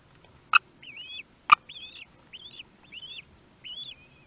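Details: Common kestrel at its nest in Théding, France, on 18 May 2021, the day the first chick hatched, filmed by nest webcam. Two sharp clicks, then five arched, rising-then-falling calls repeated roughly every half second.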